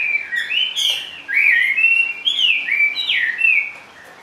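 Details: A caged hwamei perched low sings short, loud whistles, each note swooping down then up in smooth arcs, linked into a brief rolling phrase over a quiet background.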